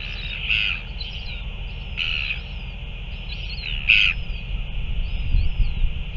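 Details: Northern royal albatross at a feeding on 9 February 2024, giving three harsh bursts about one and a half seconds apart, the last loudest, with faint thin upslurred notes and low rumbling noise.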